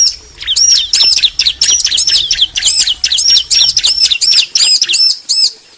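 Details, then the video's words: Bar-winged prinia male and female answering each other: a rapid, continuous string of high, sharp chirps with looping, hooked notes, about two or three per second, loud and clear throughout. "Ciblek betina & Jantan saling nyaut"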